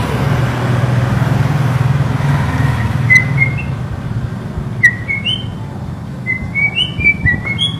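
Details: White-rumped shama giving soft, pure whistled notes, each short and slightly rising, strung together in climbing sequences over a noisy low rumble.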